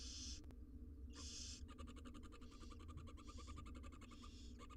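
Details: Six wild barn owl nestlings inside a monitored research nest box in Israel being fed; harsh broadband hissing bursts alternate with rapid clicking and ticking, over a steady low hum.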